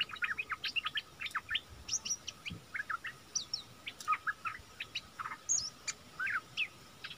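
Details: Bulbul used as a decoy to draw wild birds in, recorded 16 March 2021: scattered bright chirps and quick upslurred notes in loose, uneven bursts, some high and thin, over quiet background hiss.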